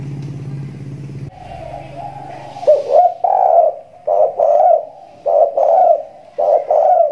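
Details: Spotted dove just finished moulting, now singing often and acting aggressive: after a low hum, a series of soft, rounded coos repeated in short bursts with pauses between.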